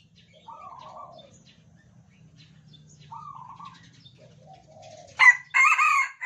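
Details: Red Junglefowl of Sumatran stock, kept caged and tame, answering one another. Two or three quiet, distant crows come first, then a sudden loud, rasping multi-part crow bursts in at the end.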